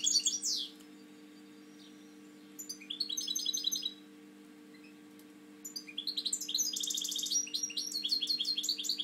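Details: European goldfinch kept in a cage in Spain, a breeding male with one slightly lowered wing, pouring out high tinkling twitters and buzzy trills in three bursts with short silences between; faint steady hum throughout.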